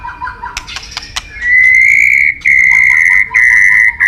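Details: A white-rumped shama, prized by songbird keepers, gives a few soft clicks and chips, then long steady whistled notes held for about a second each, broken by short pauses.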